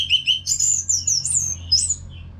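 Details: Orange-headed thrush from North Bali singing continuously as a training song for caged birds. A rich, fast run of high whistles and slurred warbling phrases flows almost without pause, with a faint low hum beneath.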